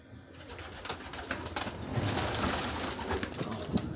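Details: Domestic pigeons murmur low, soft coos in a loft amid rustling and wing noise, with a man talking quietly nearby. Young birds are in the nests being fed. Recorded on July 12, 2023, while a hawk was harassing the flock.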